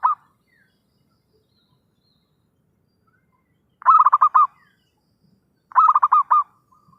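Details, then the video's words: Lively zebra dove lure call for trapping. A clipped note at the start, a long silence, then two brief trilled phrases of rapid pulsed cooing close together. "suara pikat perkutut gacorr....!!"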